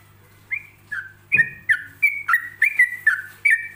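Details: Relaxed 'ropelan' song of a yellow-vented bulbul, paced with pauses so other bulbuls can copy it: clear whistled notes sliding up and down, about a dozen in quick succession, with one dull thump and a constant low hum.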